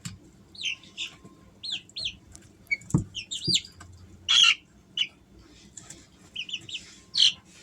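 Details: Easter Egger chicks aged three weeks, kept as pets at home in summer: clear high peeps in pairs and short bursts, each note curving up then down, with sharp clicks and a few brief rustles between.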